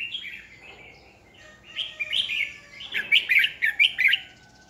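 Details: Red-whiskered bulbul decoy singing to excite competing birds; a string of quick slurred whistled notes building to a rapid rhythmic run of bright chirps near the end.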